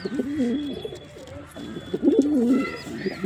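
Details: Deep, bubbling coo of a male pigeon, two wavering phrases with a short pause between, over a quiet background with a faint high whistle.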